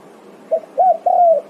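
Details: Spotted dove (tekukur) calling to its companions and answering: a soft short coo, then a rounded note and a longer, slightly falling drawn-out coo, with a quiet steady hum beneath and another note starting at the end.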